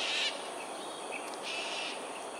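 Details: Cockatoos in an aerial display over Sungei Ulu Pandan, Singapore, at 7.43am on 13 January 2022. Two harsh, grating screeches, one short and one longer, rise over a hissing insect and ambient background.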